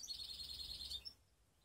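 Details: Canary mix from Skopje giving a brief high rolling trill of rapid repeated notes lasting about a second, then stopping abruptly into quiet background hiss.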